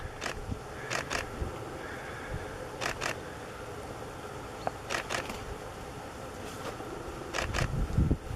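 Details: Thrush nightingale at Burn of Sandgarth, Shetland, on 11 October 2017 (autumn), giving hard, dry clicking calls, often in quick pairs, every couple of seconds, over steady wind and a low rumble.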